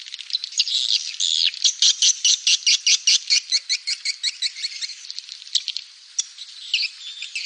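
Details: Swiftlet calls used to attract swiftlets: a rapid run of buzzy, clicking chirps repeated more than twice a second, becoming irregular near the end, with no other sounds.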